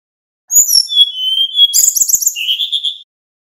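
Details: Nyeklek-style song of a male little pied flycatcher, used to draw responses from other birds: one phrase opening with high, thin drawn-out whistles that slides into a lower sustained whistle, ending in a dense buzzy trill.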